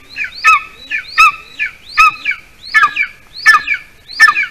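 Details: Golden eagle nest in Latvia, 8:42 p.m. on 06-12-20, during a prey delivery by the adult male to a chick that has not eaten enough: clear, piping, falling chirps given in doubled notes, regularly repeated.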